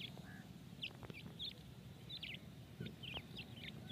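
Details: Grey francolin chicks at feeding utter short, sharp high chirps in small bursts, separated by brief gaps, over a noticeable low-pitched background rumble.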